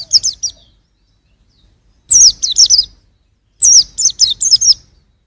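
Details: Juvenile white-eye, 2021, giving three short bursts of high, slurred chirps, roughly four to six notes per burst, with quiet gaps between.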